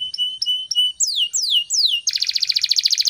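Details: Morning canary song for training other birds: steady high whistled notes, three long descending slurs, then a fast rolling trill repeated many times per second.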